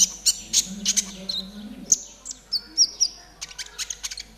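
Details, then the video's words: Konin trotol singing briskly for caged-bird tutoring: rapid high chirps and a few sustained whistled notes held briefly, interspersed with clicks, over four seconds, with a low droning hum beneath. "TERAPI KONIN TROTOL AGAR CEPAT BUNYI || MASTERAN KONIN TROTOL GACOR"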